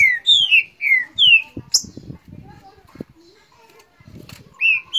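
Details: Green-winged saltator in Rio de Janeiro singing in a row with a neighbouring bird: loud, clear whistled notes that slur downward in quick succession, then a rising phrase after a pause filled with soft knocks and rustling.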